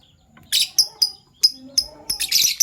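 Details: Fischer's lovebirds, a PB Violet and a Euwing Gold Opaline, calling in the morning: piercing repeated chirps with whistled endings, closing in a dense harsh burst, soft tones underneath.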